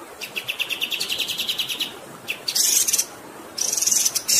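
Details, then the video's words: A kapas tembak delivers a quick, rolling run of high chirping notes, then loud, shrill buzzy bursts separated by a short gap. "MASTERAN KAPAS TEMBAK GACOR Ngerol Durasi Panjang"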